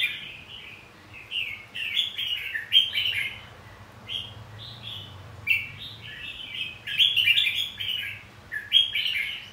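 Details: Red-whiskered bulbul fighting song, used to stimulate other bulbuls to sing, including newly caught birds: bright warbled phrases, rising and falling, given in bursts every second or two with short pauses, a faint low hum underneath.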